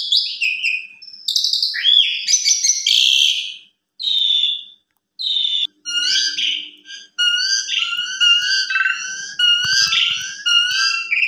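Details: Asian pied starling lure song for young birds, recorded in the afternoon and showing its fills: scattered whistled and raspy phrases with gaps, then steady layered whistles repeating near the close, over a faint low hum.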